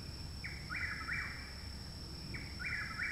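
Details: Chuck-will's-widow singing loudly nearby at a home in Parkersburg, West Virginia, 29 May 2019, a month after arrival; rapid whistled phrases with a short first note then two slurred notes, heard nearly twice over low rumbling background noise.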